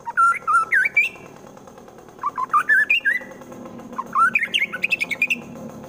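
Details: White-rumped shama from Wonosobo, Central Java, Indonesia, singing harsh 'shot' phrases meant to provoke rivals into fighting: bursts of loud rising whistles and slurred notes in three runs, the last ending in rapid clipped notes.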